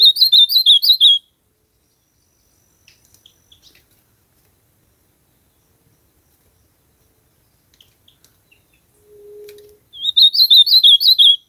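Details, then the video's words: Ultramarine grosbeak singing in nature: a burst of rapid, slurred warbling notes opens the recording, then near silence with a few faint clicks, before a second matching warbled burst closes it. "AZULAO CANTANDO MUITO NA NATUREZA ESQUENTAR SEU AZULAO COM ESSE CANTO"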